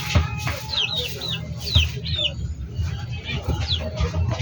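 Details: Chickens on a backyard poultry farm uttering scattered high curling peeps, partly masked by a loud low rumbling hum and faint voices.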